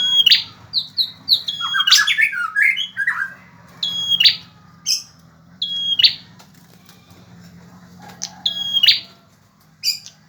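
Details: Male bar-winged prinia in energetic song: rapid high whistled notes and twittering, then repeated phrases of a level whistle breaking into a rasping burst, several in quick succession.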